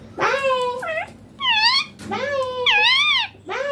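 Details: Talking green ringneck parrot: drawn-out, wavering, voice-like phrases with rich harmonics, arching up and down, run close together with brief gaps, recorded indoors.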